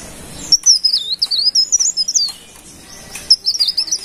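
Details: A lively golden-bellied gerygone (cikrak daun) gives a long, high, sweet warbling phrase of rapid wavering whistles, pauses, then starts a second, similar phrase.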